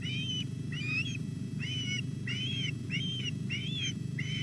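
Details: Osprey chicks calling at the Llyn Clywedog nest in Wales, 27 July at 06:40, as the female brings a whole large fish for a male chick; bright whistled chirps with rising-falling arcs, about seven in quick succession, over steady low rumble.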